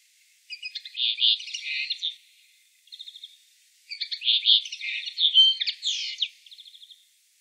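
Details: Common linnet singing in the town of Wittlich, Germany, 2018: two bursts of rapid twittering, buzzy trills and chirps, separated by a short pause, high-pitched and clear over silence.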